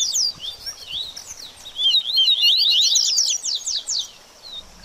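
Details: Baderninha song of a double-collared seedeater, played to liven a bird after its moult: a few scattered high slurs that build into a fast, intense chattering run, then taper off.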